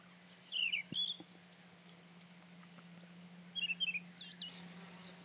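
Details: Rufous-tailed scrub robin singing: two short bursts of whistled, warbling notes that dip and rise, about three seconds apart, then a higher swooping phrase at the end, over a steady low hum.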